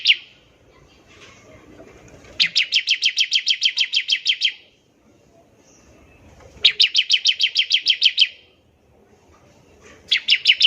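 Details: Ngebren trilling of a bar-winged prinia, used to get other prinias singing. There are long, fast runs of about a dozen bright repeated chirps, separated by gaps of several seconds. A faint low rumble lies beneath.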